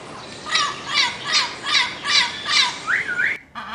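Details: Parrot squawking in a steady series of six harsh, scratchy calls about two or three a second, ending with a rising, whistle-like note and a brief cut.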